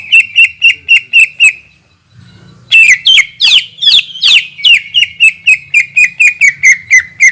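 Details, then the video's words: Long-shot 'tembakan' song of a greater green leafbird, played to provoke other leafbirds: a quick run of sharp notes, a brief quiet gap, then loud swooping whistles flowing into a fast, unbroken string of bright ringing notes. "PANCINGAN CUCAK IJO GACOR DENGAN TEMBAKAN PANJANG YANG MEMATIKAN"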